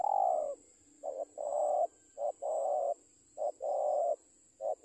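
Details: Spotted dove in training gives repeated cooing phrases, each a short clipped note followed by a longer, hollow, even coo, with brief gaps between them; a faint steady high hum runs throughout.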